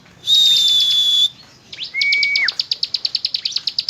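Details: Bar-winged prinia (ciblek gunung) in 'nembak ngebren' song. Two long, steady pure whistles at different pitches come first, then a quick run of high, sharp repeated notes.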